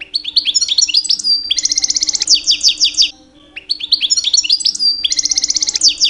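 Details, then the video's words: Two-year-old male European goldfinch singing loud, rich courtship song in the breeding season to attract females: rapid repeated chirps merging into buzzy trills, a short break mid-clip, then the same pattern again; faint hum throughout. "My 2 years old Goldfinch song"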